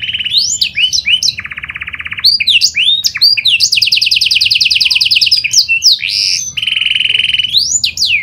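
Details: Panda canary singing nonstop as a lure to encourage other canaries to sing: sliding whistled notes, a lower rolling trill, then a fast high rattling trill and more swoops.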